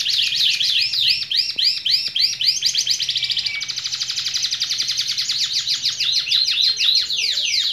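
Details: Canary singing loudly and continuously: rapid rolling trills of repeated arched notes, several per second, shifting into a fast even roll, then back to broader, ringing sweeps, with a faint low hum underneath.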